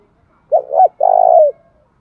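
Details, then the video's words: Pigeon-sized spotted dove calling to provoke a fight in the 'thổ bầu' voice: two quick bent coo notes followed by a drawn-out, rolling, purring coo. The phrase is clean and heard once. "Chim cu gáy cườm to như bồ câu thúc đấu cực chất như nước cất"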